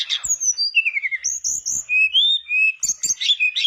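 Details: Mangrove blue flycatcher in full song as a lure for other birds: a short run of clear whistled notes that slide downward, then sustained high whistles and a few sharp clicks.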